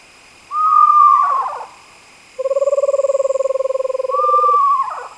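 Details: Screech owls: one whistled note ends in a tremulous downward whinny, then a rapid evenly pulsed trill on two steady pitches runs about two seconds, followed by another falling whinny.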